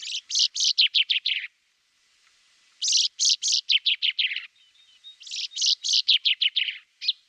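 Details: Common chaffinch (Fringilla coelebs) giving three bursts of rapid, high, slightly descending chirping notes, about seven notes per burst, separated by short pauses.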